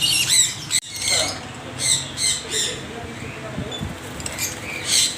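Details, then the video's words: Several parrots screeching in bursts: grating, high squawks in uneven clusters, a short break after the first second, then scattered harsh calls and chatter continue. "Extreme noise of parrots"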